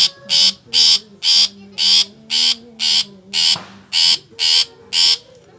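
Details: Long-tailed shrike calling in a regular run of ten loud, grating broadband bursts about two per second, with a soft low tone and a brief click in the background.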